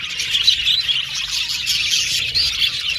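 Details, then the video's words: Budgies in a colony aviary produce a brief burst of overlapping high chirps and squeaky warbles, a lively unbroken chorus. "Budgies Singing and Chirping Sound"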